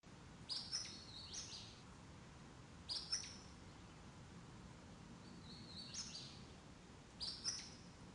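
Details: Acadian Flycatcher in the Ozark spring dawn chorus, calling from streamside sycamores and beeches: a sharp, explosive two-part peet-seet, repeated every two to three seconds over a quiet, low hum.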